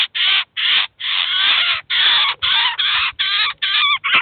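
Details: Eurasian jay and chicks at a cheese feeder in Kaluga, where the adult brought its young to feed and teach them; loud, grating rasps follow one another rapidly, about two per second, with no gaps of quiet.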